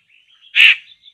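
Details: Laughingthrush near a bird trap gives one strong, harsh, grating call, with a thin high whistle running before and after it.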